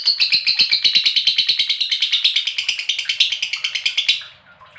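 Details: Rattling ngekek trill of a lovebird, used as a lure for other lovebirds: quick, evenly pulsed, high chatter for about four seconds, stopping abruptly, then a faint fade.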